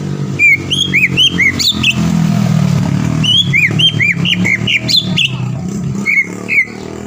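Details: Green leafbird song played to excite a rival into singing: bursts of quick whistled arcs and sharp chirps, repeated in two phrases, over steady low engine-like background noise.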